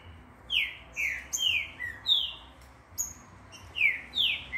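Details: A captive Green-winged saltator in training at a breeding facility, as it grows dark, sings loud, clear, downward-slurred whistles, about eight phrases in under five seconds, with fainter chirps and a low hum behind.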